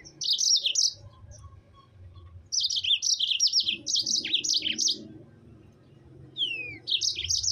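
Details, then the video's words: Yellow-fronted canary, rapid high chirping song used to provoke other canaries: bursts of bright trilled notes lasting about a second, separated by pauses, plus one clean descending whistle near the end; faint low hum underneath. "SUARA MOZAMBIK GACOR NGEROL PALING AMPUH UNTUK PANCINGAN EMOSI MOZAMBIK LAIN"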